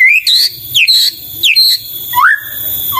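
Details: White-rumped shama singing sweetly: clear, pure whistles, some rising, some falling, in short separate phrases, ending in a long rising whistle that levels off.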